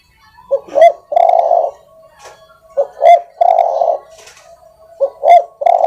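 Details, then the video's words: A spotted dove sings its soft song, used to train other birds. Each phrase opens with a short note and a quick rising slur, then ends in a long, smooth coo. Phrases repeat about every two seconds against a faint background hum. "tekukur suara empuk masteran ampuh"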